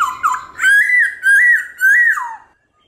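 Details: A black-throated laughingthrush sings a morning forest-style phrase of three or four loud whistled notes near one pitch. Each bends slightly, and the last drops away at the end.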